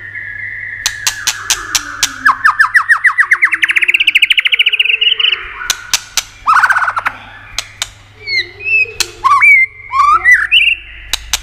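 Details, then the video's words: White-rumped shama song used to stimulate and excite other shamas: a long buzzy trill rising in pitch, then varied whistled phrases and sharp upswept notes, punctuated throughout by loud dry clicks. "Âm Kích Thích Cực Nhạy.chòe lửa đập tạch kích bổi cực sung.kích chòe lửa yếu lửa.chòe lửa tạch đập"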